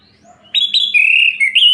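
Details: Orange-headed thrush singing at night, a song used to provoke other males: after a brief hush, one sustained, clear, warbling phrase with quick slurred high notes, and a faint low hum behind it.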